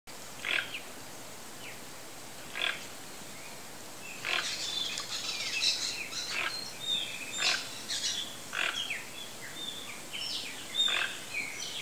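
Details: Wild Toco toucan giving harsh, croaking grunt notes, a single burst at first, then tighter clusters every second or so, over steady background hiss with thin high whistles from other birds.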